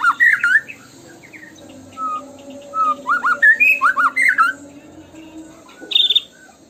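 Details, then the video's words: White-rumped shama in tembakan style: opening burst of looping whistles, scattered level notes, then a fast run of clear, sliding whistled notes and a sharp high note near the end. "PUTAR PANCINGAN MURAI BATU INI LANGSUNG BUNYI GACOR FULLISIAN!"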